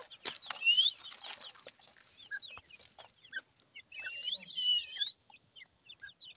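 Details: Grey francolin chicks calling: a busy jumble of thin high chirps and short rising peeps from several birds, with scattered clicks and a couple of louder sweeping whistles.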